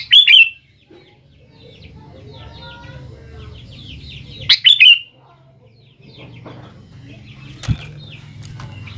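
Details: Sooty-headed bulbul lure song meant to draw replies from young birds: two loud, bright, bubbling phrases about four seconds apart over soft, scattered twittering and a faint low hum.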